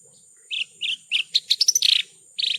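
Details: Branjangan (Horsfield's bush lark) tutor song: three buzzy chirps, then a quick run of rising, sharper notes ending in a harsh burst and a final trilled note, over a faint high hum.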